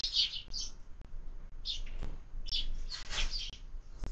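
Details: Feeding sparrows at a window feeder in the morning meal, short bright chirps in small groups separated by half-second pauses, a few dull knocks and low hum behind.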